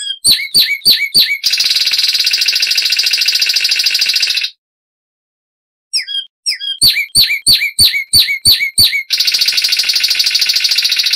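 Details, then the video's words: Zapata wren song from Cuba's lowland scrub, high and loud: bursts of quick downslurred whistles alternate with long, dense rolling trills, a brief silence midway, then more sharp whistles and another sustained trill. "Masteran Burung Zapata Wren"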